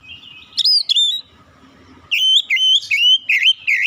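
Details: Oriental magpie-robin singing: loud whistled notes sliding between high pitches, a short opening phrase, a pause, then a quick run of clear rising and falling whistles with brief gaps.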